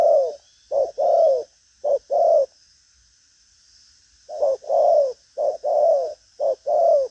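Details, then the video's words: Spotted dove, đồng pha chân cua strain, a hard cooer with lively manner and trailing-note driven coos: bursts of short-long low coo pairs, a pause of about two seconds midway, then the series resumes; otherwise quiet. "Đồng pha chân cua cứng gù| Nết chơi lăng xăng, thúc gù có lèo"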